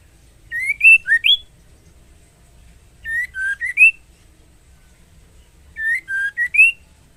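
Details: Breeding-condition female white-rumped shama calling for the male: three repeated four-note whistled phrases, the notes wavering low then rising, each phrase ending on a brighter upslur, roughly every 2.5 seconds.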